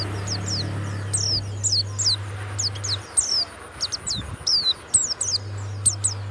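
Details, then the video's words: Warbling white-eye, a kept Banyuwangi-type bird, singing a series of high, thin whistled notes that sweep downward, given in quick irregular bursts over a steady low electrical hum that drops out partway through. "SUARA PLECI YANG MANTAP"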